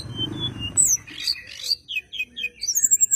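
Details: Bar-winged prinia in fighting mood, singing a lively song used as a lure to get white-rumped shamas singing: rapid high chirps, trills and thin whistled slurs in quick varied bursts, after a low rumbling background at the start.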